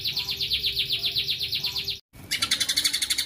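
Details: Fast 'tembakan' shot phrase from a white-rumped shama: rapid high chipping notes, about four per second, then a short cut of silence and a brighter, denser burst of repeated notes.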